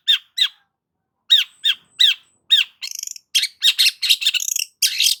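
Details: Long-tailed shrike in lively song for luring stressed shrikes: paired clear downslurred whistles repeated several times, then a buzzy trill and a fast run of harsh scratchy chatter.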